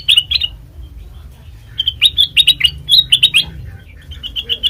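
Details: Black-crested bulbul song used as a trapping lure and master recording: bright, bubbly chirped notes in quick clusters, first two early notes, then a rapid run of rising and falling phrases, with low background hum.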